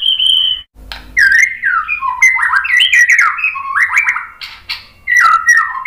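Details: White-rumped shama singing to provoke other birds into answering: a clear held whistle, then a dense run of varied sweeping, chattering and warbled notes, loud and continuous with brief gaps.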